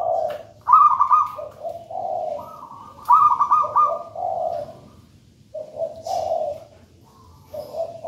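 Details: Local wild-caught zebra dove from a raja banana plant nest, cooing energetically: loud rolling trilled phrases alternate with lower, softer coos, about every two to three seconds, with a faint high click.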